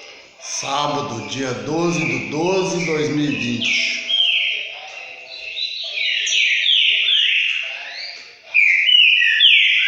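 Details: Green-winged saltator in classic song: a person speaks at first, then loud whistled notes sweep downward in quick, repeated phrases, ending in a strong, clear burst.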